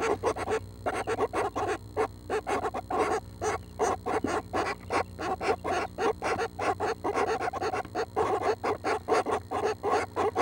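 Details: Seven young Northern Flickers in their nest, expected to fledge within the week, call loudly and continuously at 6 am on June 12, a rapid, steady stream of harsh buzzy rasps with a low hum beneath.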